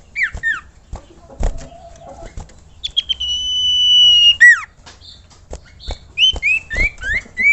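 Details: Common iora song for training caged birds: descending whistled slurs, a long flat whistle, then a run of short rising and falling notes, with occasional clicks.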